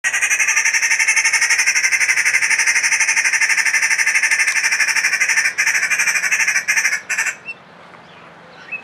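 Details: Green woodhoopoe (Phoeniculus purpureus) at Antwerp Zoo, Belgium, giving a harsh, rapid cackling chatter, about four notes a second, running steadily for over five seconds before breaking up into a few final notes.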